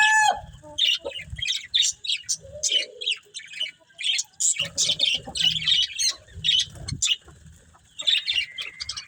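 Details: Budgerigars eating greens make short, choppy bursts of high scratchy chirps and squawky chatter, coming in rapid pulses with brief gaps, along with low thumps and rustling from feeding.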